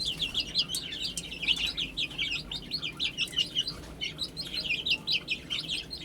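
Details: Cute baby chickens feeding and drinking, chirping in a continuous run of piercing, quickly repeated falling peeps that pulse in loudness from many birds at once.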